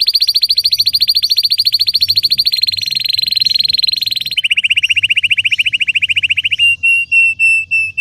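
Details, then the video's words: Red Belgian canary giving an intense, deep-throated training song: continuous rapid rolls of tightly repeated notes, dropping slightly in pitch partway through, ending in a few slower, separate notes, with a faint low hum underneath. "Canário belga vermelho canta muito gargata profunda e intensa para treinar"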